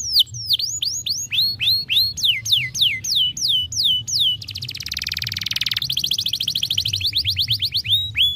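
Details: Young canary singing to stimulate other birds: loud canary song of repeated descending whistled sweeps, about three per second, breaking into a rapid buzzy trill, then resuming sweeps, with a low hum beneath.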